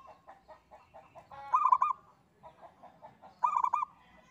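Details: Local zebra dove singing its engkel song as a lure for other birds: soft, evenly spaced clicking notes lead into two loud, rapid, rolling coo phrases about two seconds apart.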